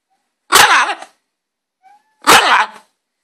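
A green-winged macaw gives two loud, harsh, raspy squawks about two seconds apart, each lasting over half a second, with a faint brief note between them.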